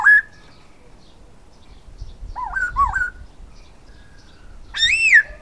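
A silver-eared laughingthrush sings clear, rich whistles: a short opening note, a wavering warbled phrase, then a loud arching whistle, over quiet background rumble.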